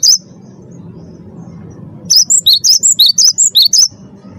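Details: A single high chirp from a first-prize wingko cinereous tit, a two-second pause with low background rumble, then a fast string of about ten bright, alternating high and lower chirps used as a lure to draw other birds into song.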